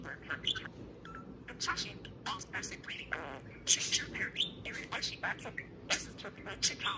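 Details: Caged or house parakeet chattering while serenading a can of beer: dense, rapid warbling chatter mixing buzzy notes, clicks and speech-like syllables almost without pause.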